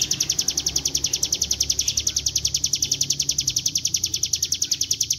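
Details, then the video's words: Bar-winged prinia song played as a lure, a rapid rattle of high, bright chirps near three and a half per second in continuous gacor ngebren style over a low background hum. "Pancingan bunyi CIBLEK GUNUNG dengan suara ciblek gunung GACOR NGEBREN"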